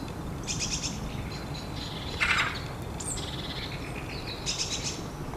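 Long-tailed tit giving thin, very high contact notes and short buzzy, rippling trills in scattered bursts, over a steady low rumble of wind or distant traffic.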